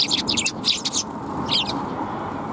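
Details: Group of sparrows including a tailless bird, 17 January 2022, heard while walking out: rapid run of high, bright chirps and tweets packed into the first second, a brief pause, then another short chirp burst, over low background rumble.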